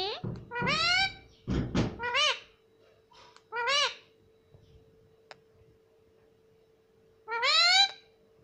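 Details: Pet talking parrot repeating "mami" in a domestic room: five loud, nasal, arched harmonic calls over about eight seconds, each short and rising then falling, with a steady faint hum in the background.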